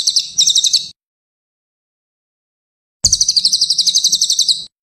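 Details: Songbird training recording of a cililin: a high chattering trill about a second long, a pause of two seconds, then a fuller run of rapid, evenly pulsed piercing notes.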